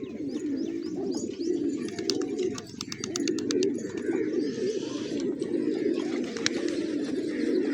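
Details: A flock of village pigeons feasting on grain in the morning, giving a steady mass of low rolling coos, with sharp clicking taps scattered through the middle and a brief lull partway through.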